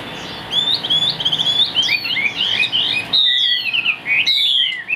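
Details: Chinese hwamei singing in captivity in Vietnam: quick warbled whistles, then long, strong descending and rising whistled phrases with brief gaps.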